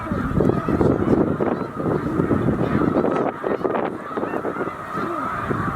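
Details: Massed snow geese, roughly 100,000 birds, stopping at Middle Creek wildlife refuge on their northward migration between late February and mid March; thick overlapping honking swells and dips, with louder nearby calls over the steady din.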